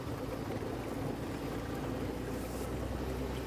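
A steady low engine drone with wind rumble, and no animal calls.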